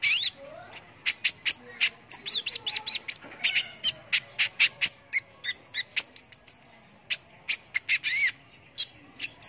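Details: Brown-throated sunbird in vigorous song for training competition birds: quick high chirps interspersed with looping, warbled whistles rising and falling, delivered in steady rapid bursts.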